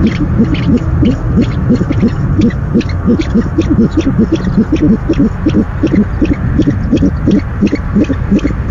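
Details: Nest-camera owl at night, 17 February 2015, during the first delivery of the night: a sustained series of quick, low, curved notes, under three per second, steady and loose in rhythm above a constant rumble.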